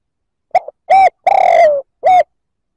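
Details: Spotted dove coo aimed at provoking rival males: a faint lead-in note, a short coo, a long throaty coo sliding downward, and a last short coo, in quiet surroundings.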